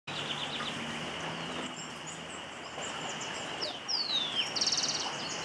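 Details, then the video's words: Andean Emerald (Amazilia franciae) at hummingbird feeders in Anorí, Central Andes of Colombia, in September: a thin, high falling note, then a quick burst of dry, buzzy chips, over a steady insect-like hiss. "Andean Emerald - Amazilia franciae"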